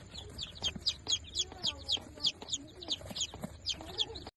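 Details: Day-old Darag native chicks, newly hatched and fifteen in the brood, give shrill descending peeps repeated about four times a second in a steady rhythm, with faint lower murmurs and rustling in the background.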